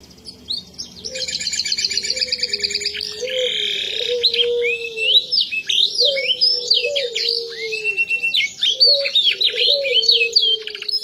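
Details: Canary said to have forgotten its natural voice, singing a long, varied high-pitched song of rapid buzzy trills, sharp upward-sweeping notes and chattering phrases. Softer, lower whistled notes run steadily beneath it throughout.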